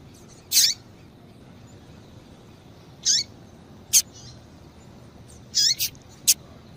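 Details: High, thin chirps from a female double-collared seedeater, used by breeders to excite males, each dropping at the end and coming every two to three seconds, mixed with sharp dry clicks over low hiss.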